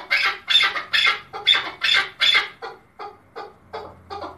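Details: Male chukar partridge (keklik) from Tajikistan, recorded in 2020, singing: a rhythmic series of harsh, clucking chuk bursts about two per second, loud at first and then fading into shorter, softer notes.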